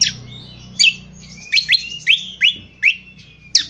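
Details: Indonesian honeyeater (Lichmera limbata) giving a rough twitter, the ngriwik kasar used for training birds: sharp descending chirps repeated about every half second, high-pitched and clear over a faint low hum.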